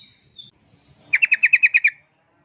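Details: Lure song of a sooty-headed bulbul, used to get bulbuls singing: a faint high note, then a tight trill of eight quick, even, bubbly notes lasting under a second.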